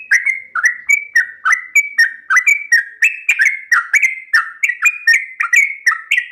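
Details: Long 'ropel panjang' song of a Sooty-headed bulbul, a training track for captive birds: a fast, unbroken run of bright whistled notes, each dipping then rising, repeated roughly three times a second.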